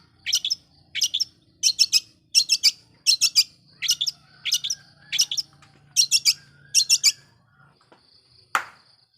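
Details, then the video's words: Long-tailed shrike lure song for provoking other shrikes, short scratchy note clusters repeated regularly, ending with one loud sharp click. "Pancingan Cendet Gacor"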